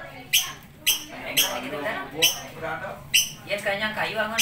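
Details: Lovebird giving sharp, harsh squawks roughly every half second, with softer warbling chatter filling the gaps between them; an indoor setting.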